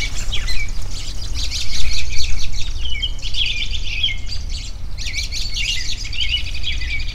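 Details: A lively group of birds chattering outdoors, quick repeated chirps about four per second, high twitters and a few sharp whistles, with low background rumble and louder close bursts.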